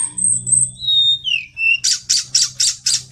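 Pygmy cupwing: thin, very high drawn-out whistles that slide downward, then a run of harsh buzzy bursts about four per second, over a faint low hum.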